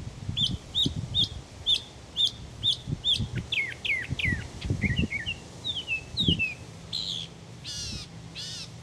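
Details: Mockingbird morning song, believed to last until it finds a mate: a crisp note repeated in a steady series, then slurred down-sweeping whistles and finally high buzzy rasping notes.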